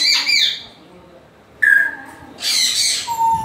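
Grey parrot giving three bursts: a harsh, buzzy squawk, then a clear falling whistle, then a loud rasping screech ending in a low whistle.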